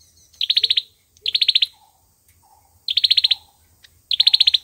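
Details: Olive-backed sunbird fighting song: four fast, bright ticking trills of six or seven notes each, separated by pauses, with soft low chirps between and a faint low rumble beneath.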